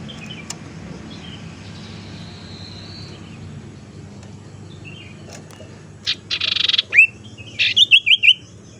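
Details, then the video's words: Tailorbird lure call for trapping and for coaxing silent birds back into song. After a long quiet stretch come short buzzy bursts and a quick series of chipping notes. "suara pancingan sirtu teras"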